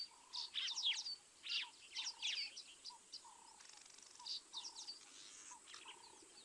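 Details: Crimson-breasted shrike calling at Mabula, South Africa, at 7:20 in the morning on 19 September 2023, picked up by a live wildlife camera: short low whistled notes repeated about every half second to second, under a busy chorus of higher chirping birds.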